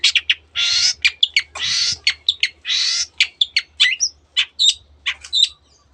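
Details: Long-tailed shrike, a mimic with canary and many other birds in its song, alternates long harsh rasping bursts with quick chips and sharp whistled notes in a rapid, varied sequence, with a low hum behind.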